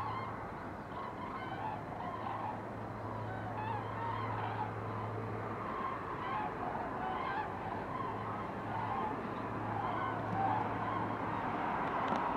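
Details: Flock of cranes passing overhead on 19 October, many overlapping trumpeting calls in continuous chorus against a constant low mechanical hum.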